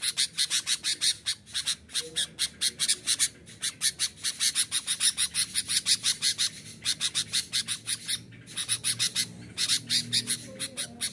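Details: Sooty-headed bulbul in full, constant song meant to anger wild rivals and lure them: a long chain of quick, piercing high chirps that pauses briefly twice before resuming at the same fast pace.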